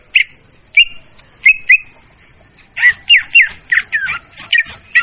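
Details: Leafbird lure call for trapping, clear and loud: a few spaced whistled notes and a double note, then after a pause a dense, scratchy series of slurred chattering phrases.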